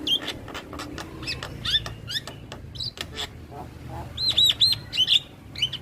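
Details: Male Javan myna singing in a natural setting: scattered sharp clicks and harsh broadband notes mixed with short high whistled slurs, clustered into a quick run of bright whistles near the end.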